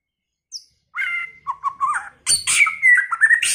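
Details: White-rumped shama singing many-voiced phrases: one faint high note, a level whistle, a chain of short warbles, then loud harsh chatter blended with clear whistled slurs until the end.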